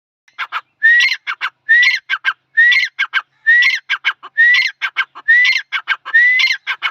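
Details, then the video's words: Male grey francolin, known locally as dhakhni tetar, calling loudly in a steady series of harsh three-part phrases, each with a clear rising whistle, repeated about once a second. "dhakhni tetar ki awaz (dhakhni tetar ki suraili awaz)grey francolin voice"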